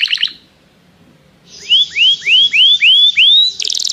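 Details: Canary singing to call another canary to sing, in song training: brief notes, a pause, then six loud upswept whistles about every 0.35 seconds and a fast trill.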